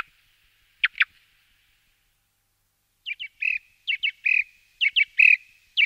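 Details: Song thrush song: two quick sharp notes, a pause, then a run of short, doubled, chirping phrases, each repeated in pairs or threes, with a faint thin tone carrying between them.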